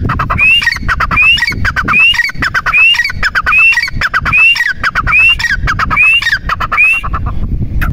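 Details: A partridge gives a steady string of about ten loud, upslurred whistled notes. Each note is mixed with gritty, rattling clicks and comes roughly every 0.75 seconds. A low rumbling hum sits underneath, and the calling ends abruptly.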